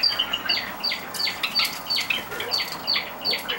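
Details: Seven Java sparrows kept as pets, let out of their cage at 6 a.m. in June 2009 and very active; rapid, evenly spaced high chirps, roughly two to three per second, mixed with soft wing flutters.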